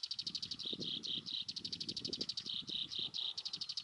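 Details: At Wakka Primeval Flower Garden in Hokkaido, June 2020, a black-browed reed warbler sings continuous high chatter. Quick clicking notes run into repeated rasping buzzes. Soft low rustling sounds in the background.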